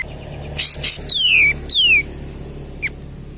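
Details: Cream-vented bulbul song used as a lure to stimulate other birds: two harsh bursts, then loud descending whistled slurs dropping steeply, with a short faint note after a pause.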